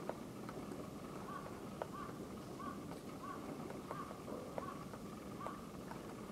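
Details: Female Great Spotted Woodpecker (Dendrocopos major hondoensis) in Japan, late February 2013, patiently pecking at an oak trunk in winter; dull, evenly spaced knocks about every half second over a steady background hiss.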